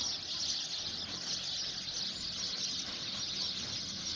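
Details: Native sparrows coming home to roost on a dense tree for a summer night, safe from predators, form a dense, steady chorus of chirping, high and continuous with no pauses, over a faint low hum like distant traffic.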